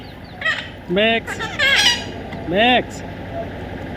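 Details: Young Indian ringneck parrot during taming, uttering a few separate rising-then-falling screechy calls spaced about a second apart, with faint background noise.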